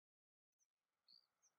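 A White Wagtail gives a few brief, thin, high chirps, the clearest a short sharp note near the middle, after a moment of silence. Nothing else is heard.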